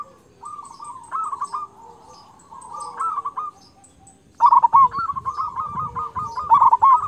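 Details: Local zebra dove with a loud, persistent 'kung' song, used to train quiet doves: softer rippling coo phrases at first, then a loud burst of quick bubbling coos that runs to the end, with thin high chirps behind.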